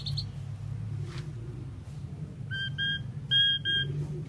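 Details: Common pied myna, also called Indian maina or pied starling, singing: a run of short clear paired whistles, each stacked high and low, repeated in quick bursts after a quiet start, over steady low traffic rumble.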